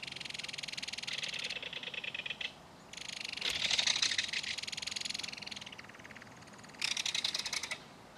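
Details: Repeated dry, buzzy rattles from a belted kingfisher adult and baby keeping in contact while the young is fed fish at a mud-bank nest, coming in four long runs separated by short gaps.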